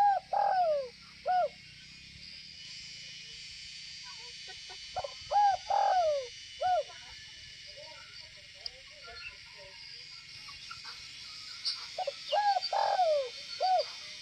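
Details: Northwest Vietnamese spotted dove giving gù (bo) style coos: three phrases about six seconds apart, each made of quick short notes, a rising-falling coo and a lower trailing coo, against a constant high hiss.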